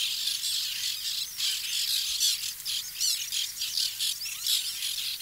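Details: White-winged terns in a nesting colony in 2021: a constant din of harsh, rasping squawks from many birds overlapping, with a few higher chirps threaded through.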